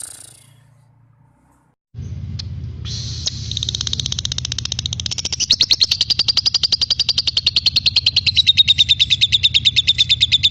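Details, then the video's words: Lovebird song recorded as tutoring material for magpie-robins, starting after a quiet moment and building into a steady, quickening chatter of sharp high pulses over a low background hum. "Burung Love bird gacor untuk isian murai batu"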